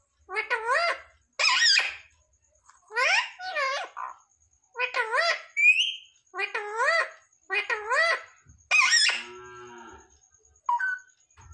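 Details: Pet parrot, or tota, talking indoors and mimicking words like "mummy papa". It gives a run of short, nasal, speech-like syllables in quick bursts with brief gaps, plus a squeaky whistle in the middle, in a small quiet room.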